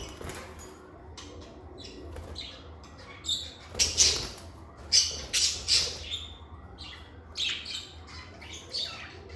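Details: Pet lovebirds in a calm indoor setting give scattered harsh, squeaky chirps, quiet at first, then a dense cluster of sharp high squawks midway, with a few more toward the end over a faint low hum.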